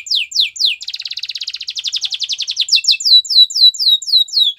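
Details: Belgian canary singing a training song: high downward-sweeping notes, a fast buzzy rattling trill in the middle, then more evenly spaced falling sweeps.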